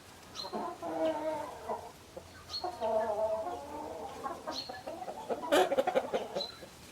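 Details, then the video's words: A flock of chickens clucking with murmuring, overlapping calls in waves, plus thin, high peeping notes at intervals and a louder burst of squawks near the end. "Chicken sounds, Roosters crowing sound effects"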